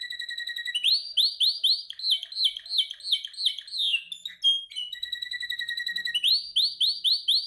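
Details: Canary in song training delivering fast rising swoops repeated in series, then chattering mixed notes, a steady buzzy trill and more rising swoops; strong, continuous singing indoors.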